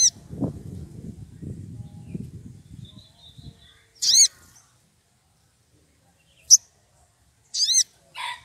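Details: Excited wild rufous piculet seeking a rival: after low rustling, a few very high, clipped notes with stacked layered tones, the last ones quickly paired, with silence between.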